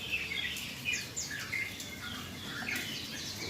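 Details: Yellow-vented bulbul singing while calming after a rain-bath: a busy run of high chirps and short warbled phrases, overlapping and irregular, over a steady hiss of background noise.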